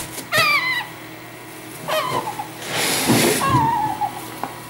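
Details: Young hand-reared Congo grey parrots from a breeder's own rearing, indoors: a few clear whistled calls with falling, stepped tones, one long descending whistle near the end, and a burst of rustling noise between them.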